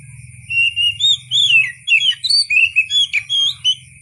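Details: Oriental magpie-robin in full song, a fast string of whistled, warbling and rising-falling notes in about a dozen phrases, with a steady low rumble and faint constant high tone underneath.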